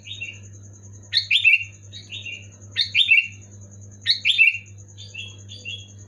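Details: Loud, clear kutilang (sooty-headed bulbul) song used to get lazy caged bulbuls singing: three bursts of paired bubbly whistles falling slightly in pitch, with softer single notes between, over a continuous low hum.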